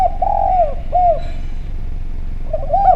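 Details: Javanese spotted dove used as a lure recording, calling clearly and actively: a long sliding coo followed by a short arched note, then a soft rising coo near the end, with low background hum.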